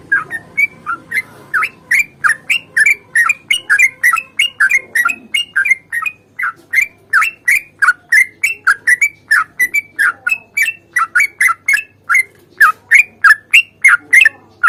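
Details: Sooty-headed bulbul, chatty, giving a long rolling fighting song used to prompt other birds into song: dense, steady chain of sharp slurred chirps, roughly three each second, continuing for many seconds with barely a break.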